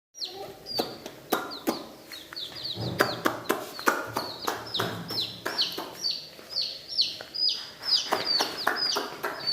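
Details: Coloured baby chicks in a village, peeping busily: many high, short, downward-sliding peeps overlap in quick succession, mixed with sharp clicking and tapping sounds throughout.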